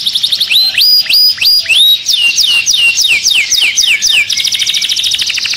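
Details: Agitated canary in a cage singing loudly: rapid repeated high notes, then a run of upward-hooked whistles, fast downslurred trills, and a buzzy high roll at the end.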